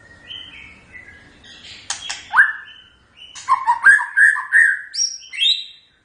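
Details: White-rumped shama in typical song, a quiet varied warble followed by a louder run of rapid whistled notes rising and falling, ending in high thin phrases.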